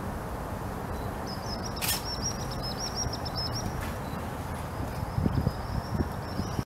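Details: Whimbrel at Kasai Rinkai Park, Japan, in April 2012, gives a high, rapid rippling titter of even whistled notes lasting about two seconds, then a fainter trill, over steady low wind-like rumble.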